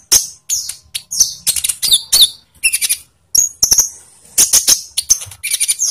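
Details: Lure recording of olive-backed sunbird song meant to get captive birds singing; sharp, high chipping notes and short trills delivered in quick separated bursts.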